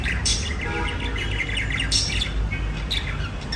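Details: Budgies singing softly, a thin murmuring warble with occasional sharp bright chirps standing out, over a strong low-pitched background hum.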